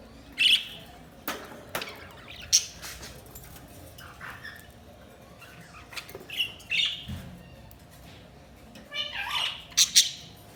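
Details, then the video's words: Budgerigars chirping: scattered short sharp chirps and clicks over about ten seconds, with brief warbling notes and a steady low background hum. "Budgies Sounds| Budgies Chirping sound"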